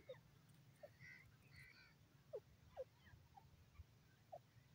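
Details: Francolin, described as a grey or desi teetar and possibly female, giving short sharp notes spaced irregularly, roughly two per second, rising and falling quickly, with faint higher chirps over steady low background hum.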